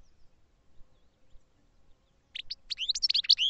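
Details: Goldfinch song: near silence at first, then a rapid series of high, bright twittering and slurred chirping notes building in loudness.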